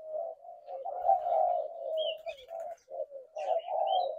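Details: Spotted doves cooing: low, hollow coos overlapping in a near-continuous murmur, broken by short pauses, with a few faint higher chirps from other birds.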